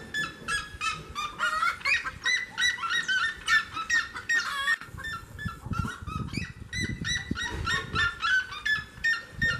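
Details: Seriema in full song beside a house door: a long, frantic sequence of piercing yelps and cackles, very rapid and crowded at first, then continuing as steady repeated barking notes, with a faint low rumble underneath.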